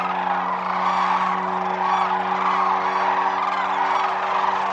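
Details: At Whitewater Draw Wildlife Area, Arizona, a wintering Sandhill crane flock produces an unbroken mass of overlapping rattling, bugling calls, even in loudness, with a low steady hum in the background.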